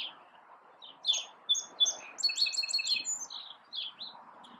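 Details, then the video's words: Small male sparrow singing: a few clear whistled notes, then a rapid trilled run of buzzy high notes and chirps lasting about three seconds, with a low steady background hum. "Singing Sparrow"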